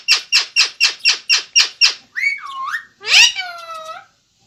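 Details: Pet ringneck parrot calling: a fast series of eight sharp, evenly spaced high chirps, then a rising, bending whistle and a loud harsh squawk sliding into tonal, speech-like notes.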